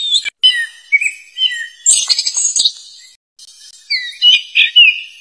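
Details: A wild black flycatcher uses its loud voice to draw in rivals, giving loud, high, varied whistles and scratchy chirps in short rising and falling bursts, about two a second, with brief silent breaks.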